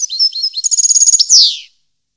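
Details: Goldfinch song, 2015: a few clear, high whistled notes lead into a fast, metallic trill, finishing with a loud buzzy note sliding down in pitch.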